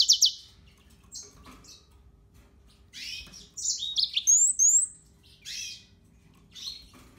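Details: Fainter yellow-fronted canary song: loose high chirps, buzzy notes and two thin rising whistles, spaced irregularly with quiet gaps.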